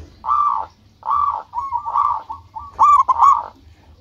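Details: Local zebra dove singing actively to attract rivals' attention: hollow cooing phrases, two separate bursts and then a longer run of quick rolling notes ending in a bright, accented double coo.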